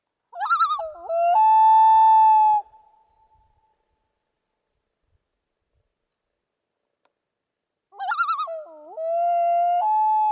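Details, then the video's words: A common loon on a lake in summer, moving about on the water, gives two mournful phrases, a quick warbling, wavering start then a long steady hooting note, about five seconds apart with quiet between. "Et puis, donc, j'ai eu la chance de voir un plongeon huard qui s'est promené et qui a fait son chant caractéristique que vous pouvez entendre."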